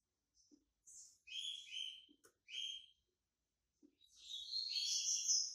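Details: Bahian white-breasted yellow-bellied seedeater coming out of moult: quieter, broken phrases of buzzy, whistled notes, with soft low clicks between them, ending in a longer, dense high warble.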